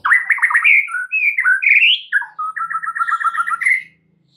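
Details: White-rumped shama song used as a prompt to get other birds singing, packed with varied phrases: rapid rich warbled notes, sliding whistles, then a fast run of repeated paired chirps near the end, loud and clean.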